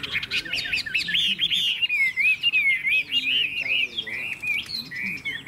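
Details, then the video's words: Chinese hwamei in a cage, offered for sale, delivering a strong song of looping, slurred whistles that rise and fall in a continuous rolling stream, with faint background noise. "Họa mi hót hét tốt - Giọng hay"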